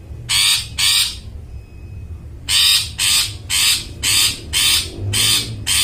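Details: Long-tailed shrike, used to stimulate silent birds to sing: harsh grating rasps repeated about twice per second, with a pause of about a second after the first two.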